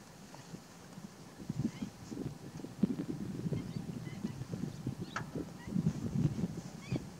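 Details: Over-summering juvenile black-faced spoonbills fighting over nest sites, nest material and mates in Tainan, Taiwan, August 2016: low, hoarse grunts and honks in rough, irregular bursts from several birds, with faint higher chirps behind.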